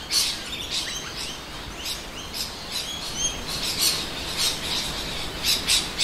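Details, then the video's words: Numerous rainbow lorikeets screech at midday in winter in suburban Adelaide, South Australia, with noisy miners among them, recorded on a Panasonic 4K Handycam; harsh shrill calls repeat roughly every half second over a busy, chattering background. "Rainbow Lorikeets Singing"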